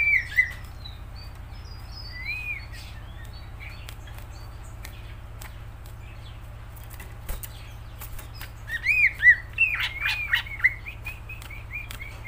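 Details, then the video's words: Greater green leafbird (cucak ijo) singing vigorously: a few bright whistled phrases at the start, a long near-silent pause, then a burst of rapid, slurred whistles and chattering notes, over a constant low hum. "Cucak ijo gacor"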